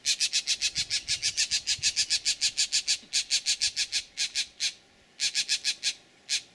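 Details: Snake alarm of green jays mobbing a bullsnake at Laguna Atascosa refuge near Los Fresnos, Texas, April 2017: a long fast run of loud, grating, buzzy calls, about four per second, then scattered single and paired notes.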